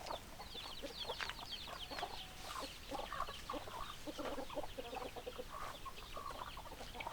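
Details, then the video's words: Hens clucking together: a quiet, continuous murmur of many overlapping short clucks and chirps, none standing out, over a steady background hiss. "Chicken Sounds Noises Hens Clucking Roosters Crowing"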